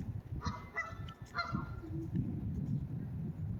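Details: Geese in a garden, with a cat present, give a quick burst of nasal, overlapping honks in the first second and a half, over a steady low rumble of wind or background noise.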